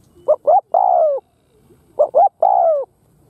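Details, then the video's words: Spotted dove kept as a lure, cooing to excite wild doves: two phrases, each two short hollow notes then a sustained, gently falling coo, with a pause of about a second between them. "Cu gáy thúc gù Gáy Gù kích bổi"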